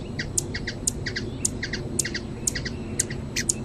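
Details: Hummingbird in Brazil repeating a crisp, piercing high note followed by a couple of lower chips, the pattern recurring roughly every half second against faint low noise.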